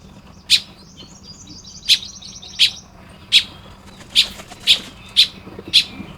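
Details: Baya weaver at its nest in Lopburi, Thailand, in the morning of 1 May 2026, giving crisp, high, clipped chirps roughly every half second to second, with a soft, constant background hum.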